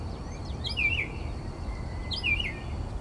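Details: Mockingbird singing at night, 4 am, outside a bedroom window in Texas: two looping, chattering warbled phrases about a second and a half apart over faint low background noise.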